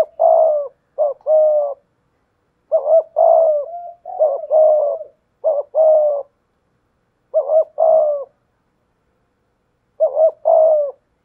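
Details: Decoy spotted dove with a 'thổ pha thúc' voice giving 'gù' coos while facing off with a wild dove. Irregular bursts of doubled phrases: a short trembling note followed by a sustained throaty coo, sometimes in quick runs, otherwise silent.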